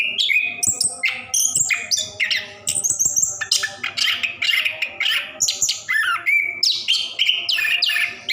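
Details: Orange-headed thrush in a cage delivering a long rolling song for prompting silent birds; rapid stream of harsh buzzy notes, chirps and whistles with short regular breaks between phrases.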